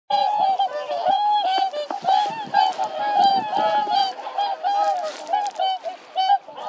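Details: Whooper swans in a physical fight: loud, nasal bugling honks pour out almost without pause, overlapping and wavering, with several birds calling over one another in a dense, rough chorus.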